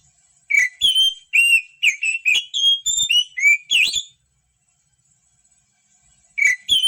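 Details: Song of an Oriental magpie-robin, played to get reluctant birds singing: a rapid run of bright whistled notes and slurs lasting over three seconds, then silence before another phrase begins.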